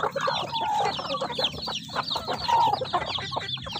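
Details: Flock of chickens eating, a busy mix of high chirping peeps and a couple of drawn-out tonal calls, over continuous rustling and pecking noise.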